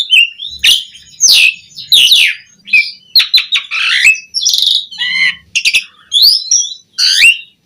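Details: Asian pied starling, kept to train other starlings, in loud, energetic song: varied whistled notes that rise and fall, mixed with harsh, buzzy chatters, delivered in quick separate bursts with short pauses between.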